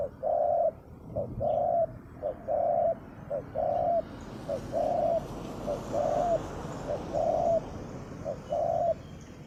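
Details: Spotted dove, a wild bird noted for a fine, deep voice, heard in a Thai ground-decoy setting: a steady series of low, mellow coos, each a short note followed by a longer rolling one, about nine phrases in ten seconds over faint background hiss.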